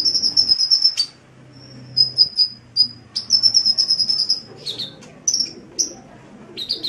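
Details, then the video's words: Sunbird (kolibri) in lively song, used as a master recording for songbird keepers: bursts of very high, thin, rapid trills broken by short pauses and single sharp chips, over a soft low background hum. "Suara Burung Kolibri | Gacor"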